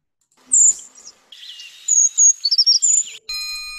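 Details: Brown creeper (Certhia americana) song from the Lake Tahoe region, often heard high in trees: very high, thin, sibilant notes in a short jumbled phrase; a steady electronic-sounding tone follows at the end.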